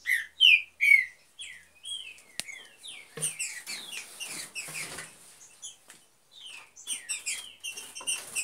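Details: Green-winged saltator from a pair breeding in an aviary: a few loud, clear downslurred whistles at the start, then softer scattered chirps over rustling and clicking, with sharp notes returning near the end.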